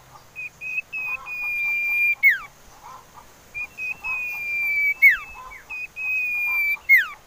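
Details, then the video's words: Common iora whistling, used as a lure to set other birds singing: long, steady, slightly falling whistled notes, each run ending in a quick steeply dropping slur, repeated three times. "Siulan Merdu Cipoh Sirtu"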